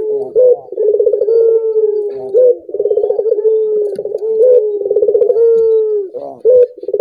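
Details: Repeated coos of a collared dove meant to spur other doves into song: each phrase a quick throbbing trill sliding into a sustained, gently descending hum, about three phrases with short pauses.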